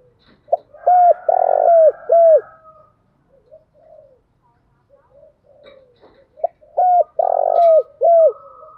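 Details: Spotted dove in the Đồng Thổ voice style, cooing to provoke a rival male. Two loud phrases, each of a short note, a long rich coo and a short closing coo. Faint murmuring sounds fill the gap between phrases.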